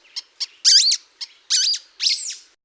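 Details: A sulphur-bellied flycatcher (Myiodynastes luteiventris) in southeast Arizona gives its unusual call, likened to a squeaking pet toy. High, shrill squeaks come as two short notes, then longer wavering squeals, about one every half second.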